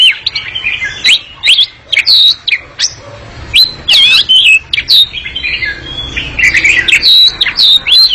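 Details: Oriental magpie-robin in long ngekek song, very lively and noisy: quick sequences of looping high whistles and harsh chirps, bunched into bursts with short gaps.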